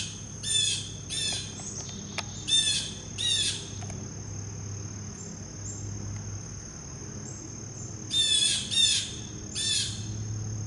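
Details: A very vocal blue jay gives harsh, buzzy calls in two clusters separated by a long pause, while insects trill steadily behind it. The bird then takes a peanut and leaves.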